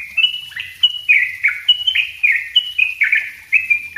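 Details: Dense, persistent song of a yellow-vented bulbul for training cage birds: an unbroken stream of quick, sweet chattering notes, each a short falling slur, tightly packed at about three per second.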